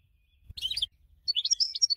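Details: Singing winner goldfinch, used as a model for training other birds: a short scratchy burst, a brief pause, then a run of quick, bright tinkling twitters.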